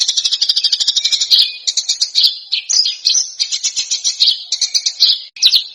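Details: Songbird training recording for Indonesian contest birds, with dense, harsh shrieks and sharp bursts. A rapid, buzzy, high-pitched trill pulses about five times per second, then breaks into scratchy chattering phrases and shrill whistled notes without pause.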